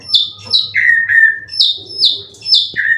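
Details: Indonesian competition white-rumped shama with cililin song material, kept caged and ready for contests. Clear downslurred whistles come in pairs, each followed by a lower drawn-out note, repeating about every second and a half.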